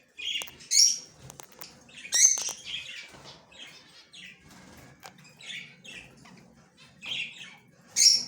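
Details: Yellow male budgerigar, recorded October 9, 2024, giving short bright chirps and warbled high notes in bursts roughly every one to two seconds, with a few faint wing flutters between calls.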